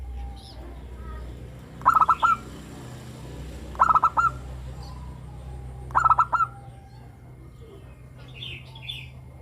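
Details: Local perkutut (zebra dove) singing in crystal-voice style, used as a lure so other doves will sing. Three short, rapidly pulsed cooing phrases about two seconds apart, then quiet with faint distant chirps.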